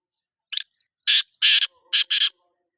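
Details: Black francolin (kala teetar) calling a harsh, rasping phrase of five buzzy notes: a short opening chip, two longer grating notes, then a quick closing pair, against a silent background.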